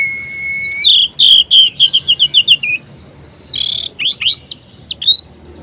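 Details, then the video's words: Orange-headed thrush singing a varied, lively song to encourage idle birds: a long steady whistle, a quick descending run of clear notes, a hissy burst, then several sharp upward-flicked notes. "Anis Merah Gacor Variasi Bangkitkan Emosi Anis Malas Bunyi Agar Rajin Berkicau"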